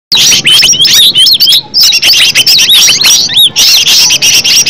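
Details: Green leafbird, natural original recording meant to lure other leafbirds into singing; a loud, rapid stream of high whistled notes with sharp up-and-down slurs, almost without pause, ending in short chirps.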